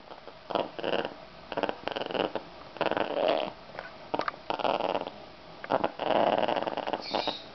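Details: Pet African grey parrot unhappy about being held in a towel, giving harsh grating, growl-like squawks in uneven bursts with short pauses, some louder and rasping, in a quiet room.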